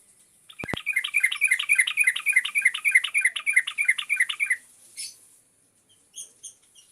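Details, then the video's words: Yellow-vented bulbul in full, lively song: a fast run of bubbly, chattering two-note phrases repeated about three times a second for four seconds, followed by a single sharp note and a few faint chirps. "TRUCUKAN GACORR,COBA PAKE SUARA INI"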